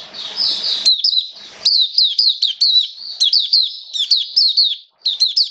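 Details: Caged Oriental white-eye hobby bird singing on a wet, rainy day, 29 September 2022. A soft hiss gives way to a lively run of thin, high, down-slurred chirps in fast succession.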